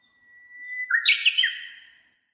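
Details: Japanese bush warbler recorded 30 May 2015 with a Canon PowerShot SX60 HS, noise reduced and reverb added afterward: a long, steady, faint whistled note, then a loud, quick, warbling flourish that rises and falls before fading out.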